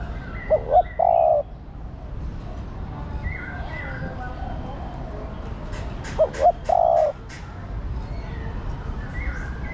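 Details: A female spotted dove calls to stir the male, giving two low phrases of two short hoots and a sustained croon, about five seconds apart. Sharp clicks and tapping sounds come between them, with distant bird whistles.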